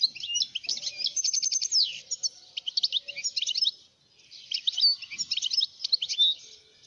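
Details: Algerian wild goldfinch delivering a lively, high-pitched twittering song. Quick buzzy trills mix with sweet chirps in two long phrases separated by a brief gap, with faint low background rumble.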